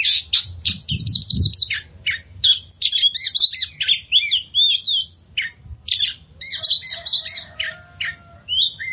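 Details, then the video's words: Oriental magpie-robin song for coaxing stressed magpie-robins to sing: busy run of sharp chips, buzzy trills and looping whistled phrases, loud and continuous, with a few low knocks early on. "suara pancingan burung kacer untuk mengatasi stress"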